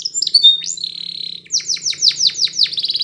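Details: Spanish Timbrado canary training song aimed at making a quiet canary sing: sharp opening whistles, a flat held tone, then a series of loud downward-sweeping notes ending in a rapid buzzy roll.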